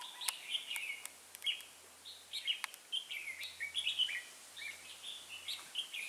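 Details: Decoy red-whiskered bulbul in a trapping setup singing its fighting song: quick clusters of warbled, rising and falling whistled notes, broken by sharp clicking knocks through the clip.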